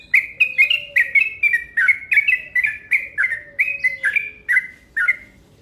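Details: Fast, long-running yellow-vented bulbul call used as a lure: dense bursts of liquid, slurred notes tumbling in quick succession, with a faint low whistled tone underneath early on.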